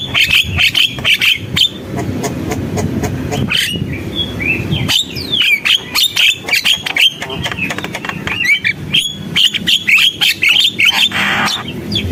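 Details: Javan myna in gacor, vigorous singing: a dense run of chirps, clicks and short whistles. Brief rising and falling whistles come in the middle, and rapid staccato notes near the end, over a steady low background rumble.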